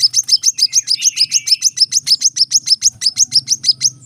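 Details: Brown-throated sunbird singing the dense rapid-fire style called tembakan rapat, a steady stream of crisp, high, slightly descending chips at roughly five per second, alternating a little in pitch.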